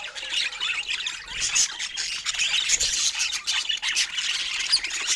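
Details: Rare budgerigars chatter softly together during a quiet, loving moment, making a steady raspy, twittering warble of tiny squeaks and scratchy notes with no pauses.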